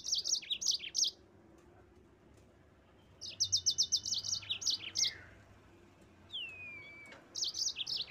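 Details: Yellow-fronted canary (mozambik) song used to provoke rival birds into singing: bursts of rapid high chirpy notes in quick runs, separated by pauses, with one long descending whistle near the end.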